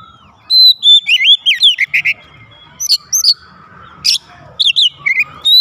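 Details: Oriental magpie-robin kept at home, singing loudly in reply: fluid warbled whistles tumbling up and down, interspersed with crisp high flicks and short pauses, and a soft background hum.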